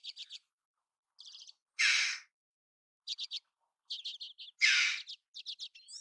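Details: Two strong, raspy calls from a red-billed chough about three seconds apart, set among repeated quick clusters of high clicking chirps from smaller birds.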